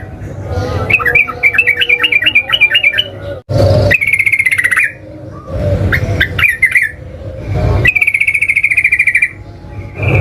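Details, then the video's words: Yellow-vented bulbul song used as a lure to set off singing: bubbly, warbling phrases of quick rising-and-falling notes, then a long sustained whistle, broken by loud bursts of broadband noise. "pancingan burung trucukan"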